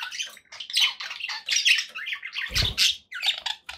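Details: Happy pet budgerigars chirping continuously, scratchy warbling notes and squawks tumbling over one another, with a soft low thump midway.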